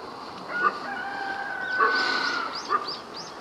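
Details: Morning crow of a rooster in Imsil, North Jeolla, Korea. One sustained, level crow lasts about two seconds, framed by short sharp accents, with faint high chirps from small birds near the end.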